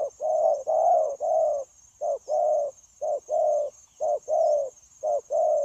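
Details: Wild-caught adult spotted dove kept for dove trapping, recorded 9/1/2024, cooing eagerly and without a break: a short low note then a longer rolling coo, pairs repeated about once a second, over a faint steady high whine.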